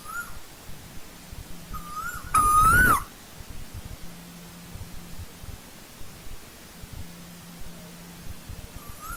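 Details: In old-growth forest an Asian koel gives one loud whistled call, held then rising and dropping, amid softer, more distant calls of the same kind and a quiet low hum.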